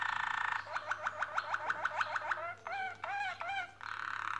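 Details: Canaries making their nest and singing: a rapid buzzing roll gives way to a series of upward-flicked notes repeated about three per second, then looping swooped whistles and another fast roll.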